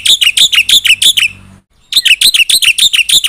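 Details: Gacor Black-winged myna song with isian: bright chirped notes in a quick regular series, a silence of about half a second, then the same chirping series again.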